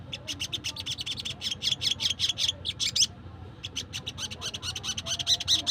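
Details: Wild Crimson Sunbird, sound used to lure wild birds: rapid series of high, scratchy ticking notes, a brief silent gap, then more spaced chips with a few thin whistled accents.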